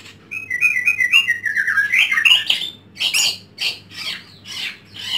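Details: Caged white-rumped shama at home pouring out a fast descending trilled phrase that builds in loudness, then several harsh, buzzy bursts; a low steady hum runs underneath.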